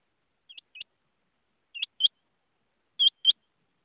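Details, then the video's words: Rain quail calling: three evenly spaced pairs of short, sharp, metallic whistled notes, each pair a quick double 'whit-whit', growing louder from first to last, with silence between pairs. "rain quail voice"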